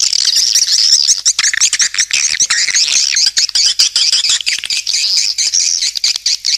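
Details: Continuous high, scratchy twittering and rapid chirps of swiftlets in a lure call, busy and unbroken throughout.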